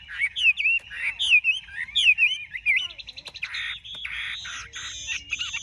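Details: Looping, whistled phrases from a big-bodied Chinese hwamei, followed by harsher buzzy notes and higher sustained whistles toward the end.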